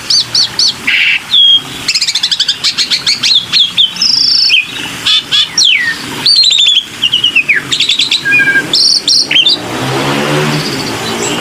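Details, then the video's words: Black-winged myna calling as a lure: long bursts of rapid ticking chips, swooping whistles and harsh buzzy notes, ending in a lower wavering hiss-like noise. "SUARA BURUNG JALAK PUTIH"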